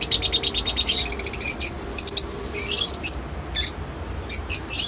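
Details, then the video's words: High rapid chattering of lovebirds, a fast train of squeaky chirps followed by sharper piercing squeaks spaced irregularly. "love bird sounds | lovebird behavior"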